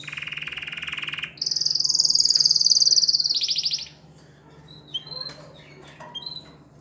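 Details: Singing canary stimulating females to mate: a low, fast rattling tour gives way to a loud, high, rapid rolled trill lasting about two seconds, followed by scattered faint high chirps.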